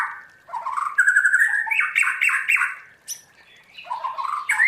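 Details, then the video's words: A caged white-rumped shama, trained for 'forest voice' song, pours out rapid rattling trills and warbled whistles, pauses briefly, then resumes with a sharp high note and rising whistle. "Luyện choè lửa hót theo giọng rừng hay"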